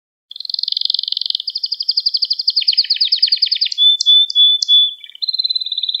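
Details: Canary singing a training song for young canaries: a long rapid trill that slowly drops in pitch, then a flat pure whistle with short notes and a closing trill.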